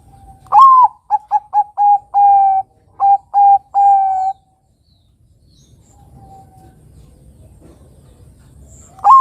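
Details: Lure recording of a young Bangkok-type zebra dove meant to make other doves answer: a rising opening note followed by a rapid run of short staccato coos and longer level notes, a quiet pause, then the opening note again.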